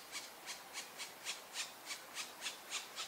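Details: Black woodpecker (Dryocopus martius) in view of the camera: a steady run of about eleven crisp, rasping taps, roughly three to four each second, evenly spaced, against a quiet background.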